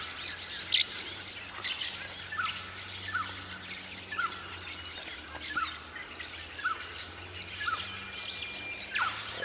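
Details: Little lorikeets, over 200 in bushland near Ellalong, Lower Hunter Valley, NSW, with several pairs inspecting tree hollows in flowering Spotted Gums. A continuous shrill high chatter carries sharp screeches and short falling chirps. Swift Parrots were present the same day.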